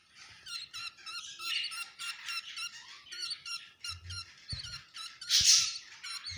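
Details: Budgerigar chicks around hatching time: rapid series of high, scratchy chirps repeated several times a second, with occasional louder squawky notes and faint low thumps in the background.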